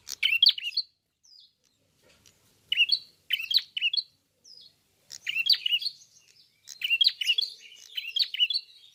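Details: Red-headed prinia (klawu) in full song with open beak: bursts of sharp, scratchy high chirps and trills in phrases about a second long, separated by short pauses.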